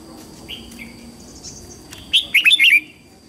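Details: Red-whiskered bulbul morning song used to train birds: a soft whistle early on, then a rapid burst of bright, tumbling whistled notes lasting under a second.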